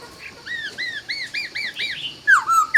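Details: Laughingthrush dawn song: a steady series of short arched whistled notes about four per second, then loud ringing downslurred whistles.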